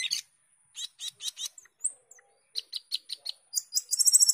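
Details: Jalak keling, the Asian glossy starling, singing gacor teler: scratchy buzzy notes repeated about every quarter second, one thin rising whistle, then ticking notes that speed into a bright, ringing high trill.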